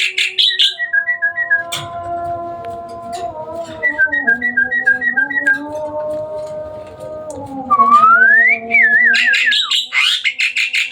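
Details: Hybrid Asian pied starling in full song after dark: short repeated whistled notes and a long whistle sweeping upward into a wavering trill, with harsh chatter, set against sustained low droning tones.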